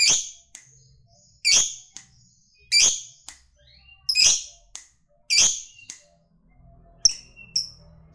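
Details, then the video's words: Fighter lovebird ticking (ngetik) before its long chatter: loud, sharp, high chips spaced about a second apart, some with short thin tails, over a faint low hum. "FIGHTER NGETIK LANJUT NGEKEK PANJANG"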